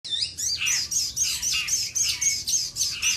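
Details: Common iora (sogon) in full song, calling for a rival: fast bright chirpy phrases, sharp high whistled notes and sliding trills repeated roughly four times a second, steady low hum beneath.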